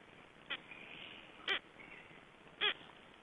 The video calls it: Black stork (Ciconia nigra) chicks calling from inside the eggs